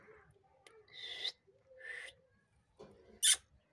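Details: Biting, angry pet parrot, locally called mithu, gives harsh raspy squawks in short bursts, three rough calls, then one sharp, loud, high-pitched screech near the end, with quiet room noise between calls.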